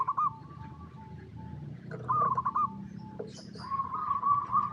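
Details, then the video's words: Zebra dove cooing in natural habitat, a lure recording meant to make other perkutut answer. Short rolling coo phrases come over a lower, steadier run of soft notes, with noticeable low rumbling background noise and a faint high chirp. "PERKUTUT LOKAL GACOR Suara Paling AMPUH | Pancingan Semua Burung Perkutut Bahan Agar Nyaut Bunyi"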